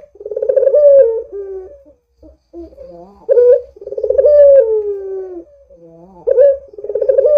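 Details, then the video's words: Actively calling Barbary dove used as a lure: rhythmic rolling coos stretched into long level-to-falling notes, with quiet low grunting notes between phrases, repeated three times. "Suara Burung PUTER Gacor ini Paling Ampuh Untuk PANCINGAN Puter Agar BUNYI"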